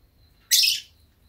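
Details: A pet masked lovebird, drowsy in warm sunny weather, gives one harsh, high, scratchy chirp lasting about a third of a second, in an otherwise quiet room.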